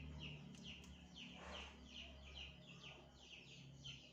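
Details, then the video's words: Chirping from an African grey parrot that is just starting to call: bright, clipped notes dropping in pitch, repeated about every half second, with a low background drone throughout. "Burung African grey berkicau"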